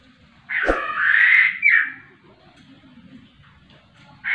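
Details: Laughingthrush singing vigorously: one loud, harsh, broad note around the middle pitch range lasting about a second, then a shorter rasping note, with a faint low hum and a new note starting at the end.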